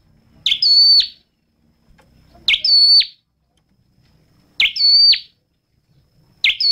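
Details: Red-headed flowerpecker giving four sharp, high chirps about two seconds apart. Each rises fast, sustains a ringing tone and drops steeply, over a mostly silent background.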